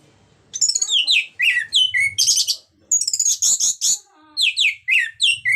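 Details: Orange-headed thrush in full ngeplong song, meant to rouse other thrushes to sing. Dense, rapid phrases of high whistles and downward-sweeping notes run continuously, with a brief pause midway.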